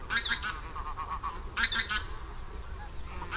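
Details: Barnacle geese from a flock of more than 200 on the Warthe floodplain, Poland, in March 2015: sharp, high yapping calls in bursts about one and a half seconds apart, with softer chatter between and low background rumble.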